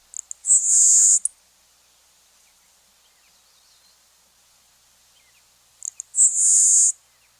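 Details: LeConte's Sparrow sings twice: a few tiny ticks, then a thin, very high, grasshopper- or cricket-like buzz lasting under a second, with a quiet gap between songs; a prairie marsh species.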